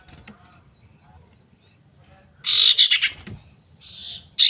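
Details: Common iora female calling to a male as a lure: a loud burst of buzzy chattering notes, then a steady softer buzz and the start of another loud note.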